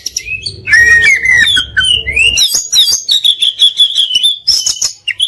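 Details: Kacer (Oriental magpie-robin) song in masteran style with fill-ins and bursts: a loud downslurred whistle, scratchy mimicry, then a long sustained whistled trill, with a faint low hum early on.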